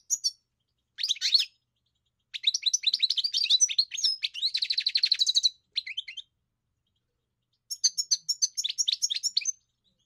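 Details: European goldfinch song made of bright twittering phrases and a long, rapid, buzzy trill in the middle, a pause, then a final burst of high tinkling notes.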